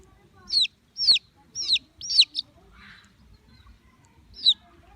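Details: Baby chicks producing loud, sharp, high peeps that slide downward, a quick run of four followed by a single peep after a pause.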